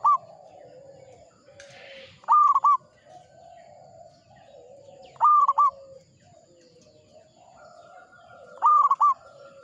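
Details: Local zebra dove singing vigorously: loud, bubbling cooing phrases of short staccato notes, repeated three times about every three seconds, over softer continuous twittering and whistling from other birds in the background.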